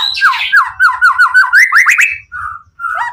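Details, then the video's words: White-rumped shama, emotionally charged, singing to draw other shamas into answering; a fast chain of looping whistled notes rising steadily in pitch, then two short level whistles after a gap. "Murai Batu Pastol PTRK BF full emosi ... pancingan murai lain bakalan nyautt.."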